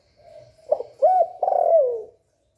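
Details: Spotted dove cooing to stimulate other doves: a soft coo, then a short note, a bright arched coo and a long buzzy-edged coo that slides downward, the whole phrase about two seconds.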